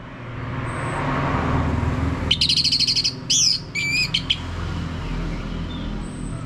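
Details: Orange-headed thrush (anis merah) lure song for drawing out a male's loud ngeplong singing: one brief burst of fast trilled and looping whistled notes midway, surrounded by quiet, with a constant low rumbling background.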